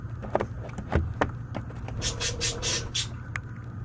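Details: A baby white-capped pionus, about 9 weeks old, making hunger noises while learning balance: harsh, raspy squawks in uneven bursts with a few sharp clicks over a steady low hum.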